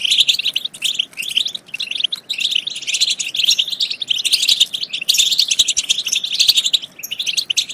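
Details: European goldfinch song used to spur goldfinches to sing and mate: an unbroken, busy stream of bright chirps, trills and buzzy notes, loud and dense throughout.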